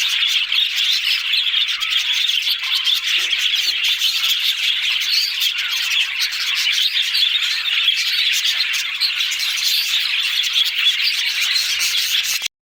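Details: A group of budgerigars warbles and chirps without a break, with busy, overlapping high-pitched twitters and occasional harsher squawks, ending abruptly.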